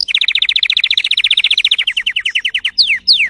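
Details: Timbrado canary with a fierce, strong song: a long rapid series of loud bubbling notes, slowing gradually, then two long high whistles sweeping steeply downward.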